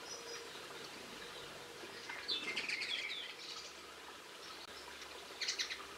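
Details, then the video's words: Linnet singing, recorded 22 March 2016: a short burst of dense, buzzy high twittering midway, then a brief chirpy flourish near the end, against a hissy outdoor background. "Linnet Birds - Video, Bird Song and Sounds"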